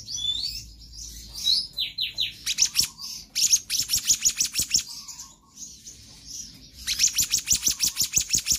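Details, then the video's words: A magpie-robin sings in konslet style: falling whistles, then long fast series of sharp clicking chips at several per second, separated by brief pauses and high warbles. "Kehicap Ranting Gacor Konslet Full Fariasi"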